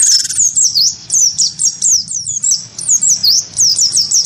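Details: A cinereous tit of the wingko form, provoked by a white-eye, delivers a fast stream of piercing down-slurred whistles, repeated several times a second with short gaps.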